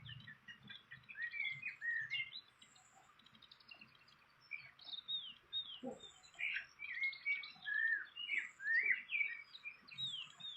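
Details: Fantail at its nest in the wild; high, thin chirps and short twittering notes, scattered and irregular, quieter in the middle then denser toward the end, over faint low background rumble.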